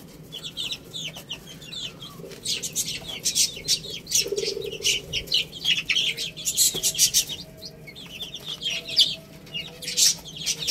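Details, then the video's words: Rice-eating chicks give scattered high peeps among frequent sharp pecking clicks, busiest near the end, with a low hum and a brief mid-range rasp. "Cute Little Chicks Eating Rice | Beautiful Chicks Chirping Sounds"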